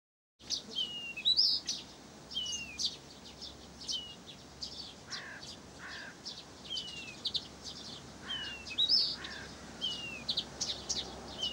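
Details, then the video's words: Blyth's reed warbler singing in Pavlodar: a dense stream of short high chirps and clicks interleaved with slurred, falling whistled notes, the phrases repeating in varied bursts against a steady background of other small birds. "НА КОНЦЕРТЕ САДОВОЙ КАМЫШЕВКИ В ПАВЛОДАРЕ"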